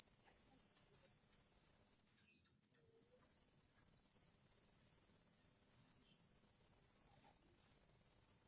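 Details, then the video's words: Cici lurik, an imported tutor bird known for a cricket-like voice, reeling a high, fast-pulsed insect-like trill that stops for about half a second near the two-second mark, then resumes and continues steadily. "BURUNG MASTER SUARA JANGKRIK"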